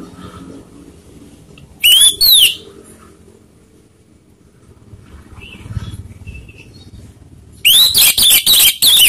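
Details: Orange-headed thrush lure song used to provoke rival birds: two loud bursts of bright, high whistled notes with sliding and rapidly repeated elements, separated by about five seconds of quiet low background hum.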